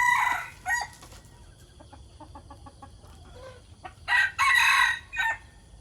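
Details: Chickens at daybreak, kept as decoy roosters: a loud, harmonic crow opens, followed by a run of short, quick clucks and chirps, then a second long, rising-and-falling crow of about one second near the end.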